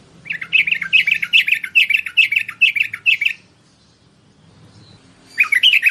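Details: Merbah bulbul used to lure wild birds, giving a fast chattering string of bubbly, slurred notes for about three seconds, a pause, then another burst, over faint low hum.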